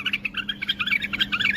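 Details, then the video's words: Tame bulbul singing, shown flicking its wing, delivering a continuous warbling stream of varied, rapid notes, jumping between lower and higher pitches, with a man speaking nearby. "تغريد بلبل اليف"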